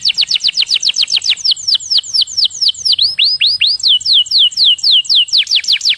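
A canary sings a fast, continuous run of bright, high whistled notes, about two per second, with sweeping downslurs in the middle of the phrase.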